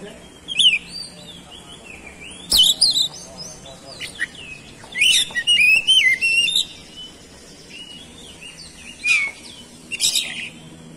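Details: Oriental magpie-robin singing as a lure to set other birds singing: high whistled phrases with rising and falling slurs mixed with harsh chattering notes, delivered in scattered bursts over about eleven seconds.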